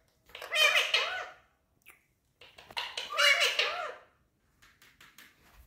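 An Indian parrot speaks two nasal, word-like phrases about a second long each, with gliding, wavering pitch, separated by a short pause.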